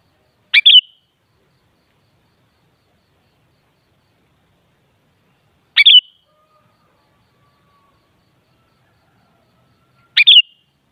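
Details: Sooty-headed bulbul, called kutilang, sounded to draw an answering song from another kutilang: three identical short bubbly whistled phrases spaced about five seconds apart, with clean silence between them.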